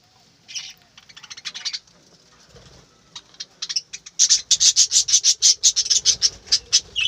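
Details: Aviary budgerigars chirping in the morning, starting with soft scattered twitters, then a fast, loud run of sharp high chirps repeated about three times a second.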